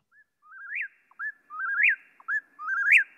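Eastern Whip-poor-will singing its whistled whip-poor-WILL, three phrases about a second apart, each with a soft first note, a rolling middle and a sharp rising end.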